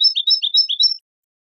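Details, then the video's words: Goldfinch song fragment of quick, paired chirping notes repeated about every quarter second for one second, bright and metallic, followed by silence. "goldfinch songs"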